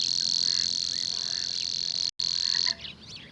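Savi's Warbler reeling: a high, dry, insect-like buzz held on one pitch for over two seconds, then a few thin chirps from another bird.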